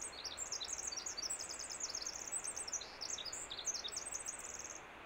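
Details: Winter wren singing in spring on Vancouver Island: a long, rapid, high-pitched cascade of tumbling trills and twittering notes running for about five seconds, with a brief pause near the middle, over a steady background hiss.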